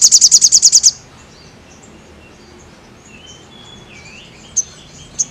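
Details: Crested jay in lively song for bird training: a quick rattle of about eight sharp high pulses ending within a second, then near silence broken by faint thin whistles and two soft high chips.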